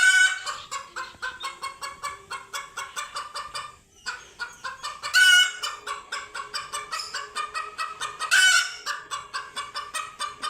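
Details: After first seeing cats, scared chickens keep up fast, evenly pulsed clucking, broken twice by loud, harsh screaming bursts and one brief pause.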